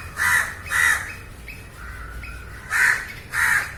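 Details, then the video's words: Crow cawing, a field recording: harsh, broad caws in two pairs, two quick calls near the start and two more after a quieter gap, with a faint thinner call between them over low background rumble. "烏鴉叫聲 烏鴉呱呱叫👂烏鴉聲音效 現場錄音👍Crow Calling"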